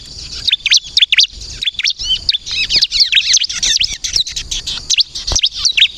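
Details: Song of a bar-winged prinia, used to draw in and provoke birds into answering: hurried bursts of shrill whistled slurs and twittering notes, growing denser mid-phrase, short gaps between bursts.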